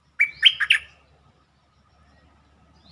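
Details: Bulbul song played as a lure to excite birds: a single lively phrase of four rich, warbling notes, followed by near silence and faint low background hum.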